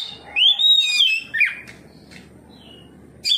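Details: Oriental magpie-robin answering another of its species with open ngeplong singing: a loud arched whistle rising and falling, a sharp slurred note, faint soft notes, then a new loud phrase at the close.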